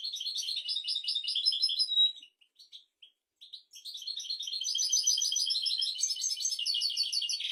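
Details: European goldfinch song, described as royal and used to teach goldfinches and canaries: fast, high, buzzy-twittering trills of rapidly repeated notes, broken by a short pause of scattered chirps before a dense, even faster rolling passage resumes.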